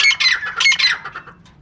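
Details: Three quick rasping squawks from a female francolin, fading into softer trailing notes.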